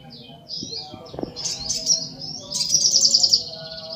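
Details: Brief sogok ontong song: thin, high twitters and slurred notes that end in a quick series of repeated piercing notes, with faint low rumbling behind.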